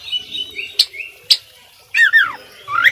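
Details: Oriental magpie-robin song used for tutoring: drawn-out thin whistles, two sharp clicks, then downward-sweeping slurred whistles and a final rising note.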